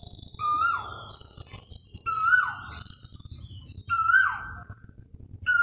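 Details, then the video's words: Asian koel giving loud, clear mid-pitched notes that each slur downward, repeated about every two seconds, with thin higher chirps from other birds behind. "koha bird sound"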